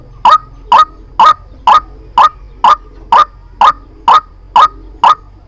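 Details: White-breasted waterhen call played as a trapping lure, eleven loud, abrupt croaking notes at a very even rhythm of about two per second, clean and dominant over a slight background hum.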